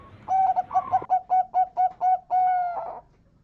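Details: Local zebra dove, or perkutut, singing a lure song meant to make other zebra doves answer: about nine quick clipped coos in a steady rhythm, the last one drawn out and fading.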